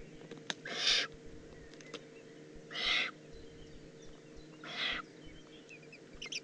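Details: Three raspy hissing calls from a juvenile Eurasian eagle-owl, recorded 18 June 2016 in the Eifel, Germany, repeated about every two seconds, with brief high chirps of another bird near the end.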